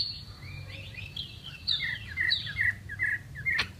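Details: Chinese hwamei song: a series of short slurred whistles around the middle pitches, repeated at an uneven rate of roughly two per second, against a low steady background hum.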